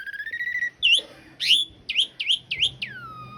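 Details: Asian pied starling, master recording for training cage birds, rough-fill long-roll style: a long steady whistle, then harsh bursts and a run of repeated swooping notes, ending in a descending whistle.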